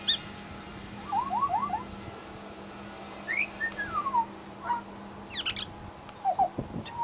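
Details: Suburban Brisbane Pied Butcherbird mimicking local sounds: a quick series of four short rising whistles, then a long descending slurred phrase, later sharp high chirps and a sustained whistle, over steady low hum.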